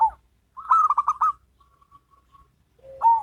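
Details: Zebra doves, a local bird and a crossbred bird, singing in duet: a short coo, then a loud rapid burst of pulsed cooing notes, a soft trailing series of faint notes, and a rising coo at the end.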